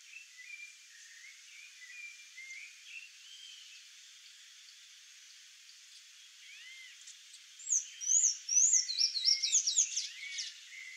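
A Sayaca tanager gives thin, high squeaky notes, faint at first, then a louder burst of rapid twittering and chirps over a steady hiss.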